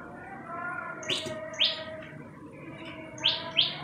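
Common Tailorbird giving sharp, rising chirps in pairs, about half a second apart, loud and high, over a faint steady background hum.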